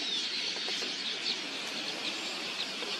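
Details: A vast swarm of red-billed queleas, migratory birds descending in their millions on a watering hole to drink, producing a steady seething mass of high twitters and chirps, with brief whistled notes and soft fluttering underneath.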